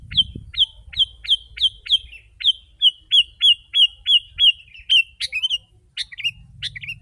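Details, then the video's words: Lively sooty-headed bulbul used to lure wild birds gives a rapid run of sharp, down-slurred whistled notes, about three per second, then a few more varied, warbled phrases, with low background noise. "Kutilang si.ladusing super gacor suara rapat menekan burung liar...."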